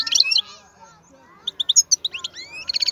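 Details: European goldfinch of wild type, a powerful singer, giving scattered high chirps, then liquid twittered notes with rising slurs ending in a quick buzzy trill.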